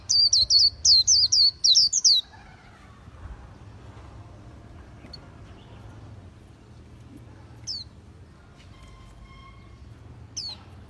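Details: Khuyen bird giving a brief two-second burst of rapid, high, down-slurred whistles. Faint background noise and a couple of distant single notes follow.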